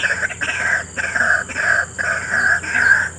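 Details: Wild white-breasted waterhen (burung wak-wak) heard by chance in scrub habitat where many still live despite ongoing development; loud, harsh repeated notes in a steady series, roughly two per second, over a constant high insect-like hiss.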